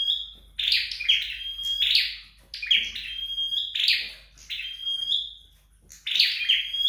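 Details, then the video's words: Flowerpecker being trained at home, singing repeated phrases roughly every second: each a buzzy, chattering burst running into a thin, steady high whistle held about half a second, with short pauses between phrases. "Dợt Sâu Đầu Đỏ Tại Nhà"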